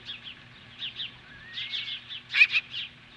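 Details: Osprey confronting magpies at its nest in Hellgate Canyon, Montana, July 15, 2015: soft high chirps and a thin rising whistle, then two loud sharp notes and a quieter trailing chirp.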